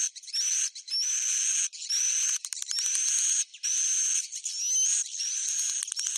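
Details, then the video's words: Roosting call of swiftlets: buzzy high-pitched bursts separated by clear pauses, each carrying a faint rising whistle, about six bursts in sequence. "Suara Inap Walet"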